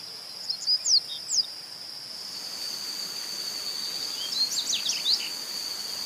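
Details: Wild yellow-bellied seedeater in Itabirito, Minas Gerais, Brazil, gives a few quick, high, down-slurred notes, pauses, then delivers a rapid jumbled cluster of thin chips and slurs. A constant shrill buzzing tone persists in the background.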